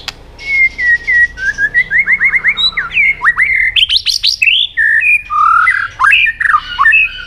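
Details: White-rumped shama, used to provoke other birds into singing: a loud, continuous run of rich whistled phrases, rapid slurred notes rising and falling, with sharp clicks mixed in and a faint low hum beneath.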